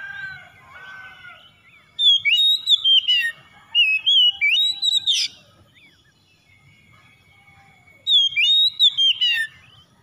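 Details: Kacer (Oriental magpie-robin) song for rousing a stressed, non-singing bird: three separate bursts of loud fluted whistles mixed with sharper chip notes, spaced by pauses. Faint lower tones are heard at the start.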